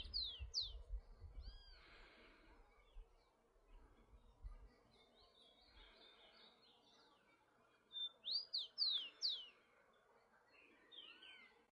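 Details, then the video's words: Rufous-collared sparrow singing in nature, two song phrases about eight seconds apart, each of clear slurred whistles sweeping up and down followed by softer high trilled notes, with low rumbling noise early on. "Tico Tico Cantando Solto na Natureza"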